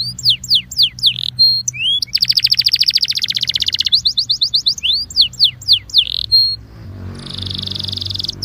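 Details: Singing Belgian canary, a warm-up song for canaries: bursts of steep falling notes and swoops alternating with fast buzzy trills and clipped rising whistles, fading to a softer hiss at the end.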